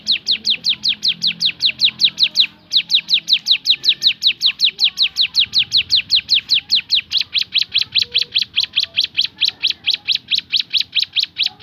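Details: Javan sunbird in its 'tembakan' style pours out a long series of sharp, high falling notes at a quick tempo, with a short break early on and faint low background sounds.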